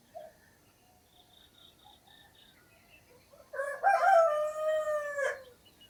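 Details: Rooster crowing in the early morning in Namje Village, Dhankuta, recorded on a Sony camera. Faint scattered bird notes come first, then one loud, harmonic-rich crow that rises and holds steady for nearly two seconds before dropping off.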